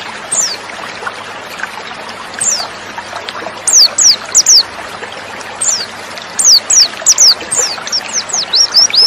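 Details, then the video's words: Female white-eye giving thin, very high down-slurred whistles, single at first, then in quick twittering runs, over a steady rush of flowing water; played to provoke males into singing. "TERAPI PLECI BIKIN CEPAT NGALAS DAN BUKA PARUH"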